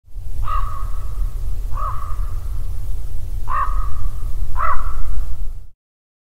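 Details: Raven giving four drawn-out, hoarse calls with steady pitch, spaced about one to two seconds apart, over a constant low rumble like wind throughout.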